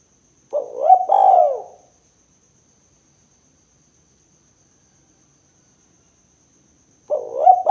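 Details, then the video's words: Tekukur, the spotted dove, voicing its 'kuk 2' lure call for catching other doves: one two-part coo, a quick rising note and a long falling one, then several seconds of silence before the next begins. "Suara Burung Tekukur Kuk 2 Paling Gacor Terbukti Ampuh Untuk Pikat & Pancingan Tekukur APAPUN"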